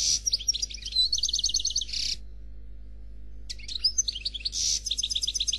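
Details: Captive European goldfinch singing a Khalwi-style song: a bright burst of rattling, trilled notes with buzzy ends, a pause of about a second and a half, then a second similar phrase with rapid repeated elements.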